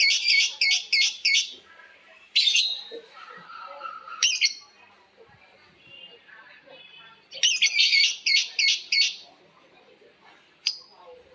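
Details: Lovebirds answering one another in long ngekek chatter: bursts of fast, shrill, buzzy repeated notes, each volley about a second long, separated by short pauses and a few single squawks.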